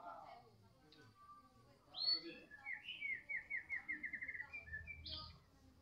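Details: Medan-type White-rumped shama singing in the afternoon: a high upslurred whistle followed by a rapid even trill of repeated notes, over a low background rumble.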